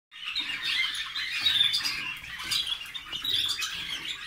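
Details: Waterslager canaries, recorded in 2018, sing a continuous run of high chirps, trills and squeaky notes, dense and unbroken for the whole stretch.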